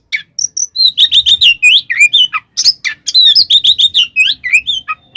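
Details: Oriental magpie-robin (kacer) singing a loud 'tarung konslet' fighting song full of fill-in phrases, used to provoke other magpie-robins; fast run of sharp whistled and chirped notes, some rising and falling, in quick bursts with a few brief pauses.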